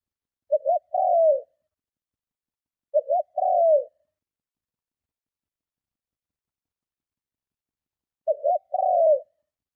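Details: Strong provoking coo of a spotted dove used to lure other doves: three phrases, each two brief notes then a longer slurred coo, spaced irregularly over ten seconds in silence.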